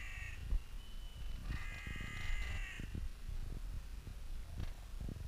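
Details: Crows of a city park in spring, played in mild slow motion: one drawn-out, harsh, nasal caw with stacked harmonics lasts over a second after a short opening note, over a low rumbling background.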